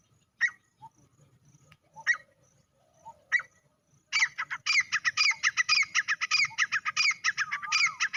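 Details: Male grey francolin calling: three spaced, sharp, ringing single notes, then a loud, rapid burst of harsh, rhythmic repeated notes that continues to the end without pause.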